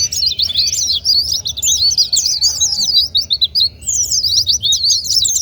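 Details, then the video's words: White-eye song used to provoke quiet white-eyes into singing: rapid, high twittering warble of short sliding notes, nearly continuous with a brief pause midway, over a faint low hum. "Pancingan terapi super gila ll buat pleci yang malaz bunyi"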